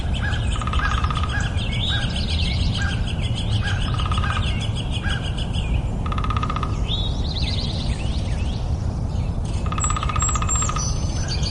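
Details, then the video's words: Nightingale singing: varied phrases of sharp chirps and swept whistles, then bursts of fast, rattling repeated notes near 6 and 10 seconds, over a steady low rumbling background noise. "2 minute of Nightingale - Relaxing Bird Sounds"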